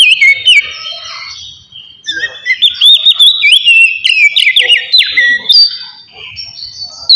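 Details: Oriental magpie-robin singing relaxed ngeplong song, played to stimulate emotion and breeding drive: long varied phrase of loud whistles, warbled slides and sharp chirps, with a brief lull before the song swells again.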